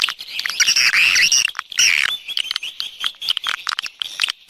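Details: Swiftlet external sound track from 2020: warbling, sliding high chirps in two bursts, then softer, sparse ticking notes and short twitters.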